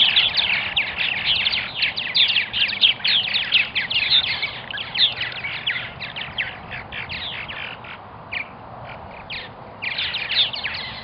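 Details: Many Purple martins at a colony in Melbourne, Florida, keep up a rapid, crowded chatter of creaky, gurgling chirps that thins to scattered notes after about eight seconds, then swells again.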